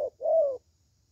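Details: Single 'thổ'-style phrase from a young, good-voiced spotted dove: a quick short note, then a longer smooth coo that rises slightly and falls away.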